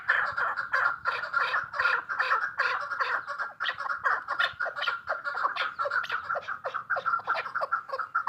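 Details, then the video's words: Female chukar partridge producing a dense, continuous chatter of clucks that overlap into a rolling stream with little pause. "Sound of partridges birds chakor keklik کبک الحجل zark چکور"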